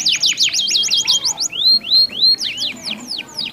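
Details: Pair of domestic canaries answering each other, meant to stimulate silent or moulting canaries to sing; a fast run of sharp downward-swept chirps, then slower separate rising-falling whistled notes about three per second.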